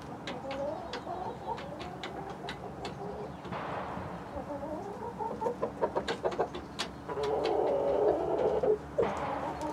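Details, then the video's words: Backyard chickens, hens of breeds such as Light Brahma, Barred Plymouth Rock and White Leghorn with Rhode Island Red roosters; busy overlapping clucks and quick repeated notes, a noisy rustling burst midway, then a denser clucking chorus. "12 Hours Of Chicken City Live Stream With Relaxing Nature Sounds"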